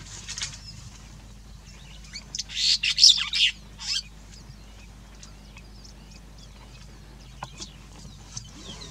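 Donaldson Smith's sparrow-weaver gives a brief harsh, high chattering burst, then scattered soft chirps amid near-quiet with faint low background hum.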